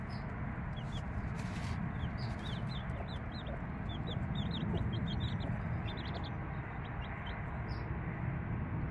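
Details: Three-day-old chicks beside a mother hen give many short, high peeps. The peeps are rapid and irregular, bunched in clusters through the middle, and sit above a constant heavy low-pitched hum.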